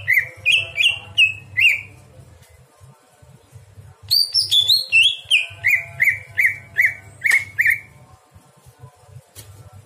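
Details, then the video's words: Greater green leafbird song recorded at night for tutoring other songbirds: a run of bright downslurred whistled notes, a short silence, then a longer series of chirpy slurred notes at a steady quick pace over a soft low hum. "masteran cucak hijau di malam hari"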